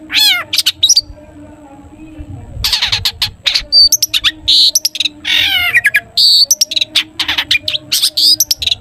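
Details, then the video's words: Long-tailed shrike in busy "toet toet" song with many fill-in phrases, played to prompt other shrikes to sing: dense, varied high chattering, rapid buzzy trills, short whistles and downslurred notes pouring out almost nonstop over a faint hum. "cendet gacor TOET TOET buat pancingan cendet agar bunyi"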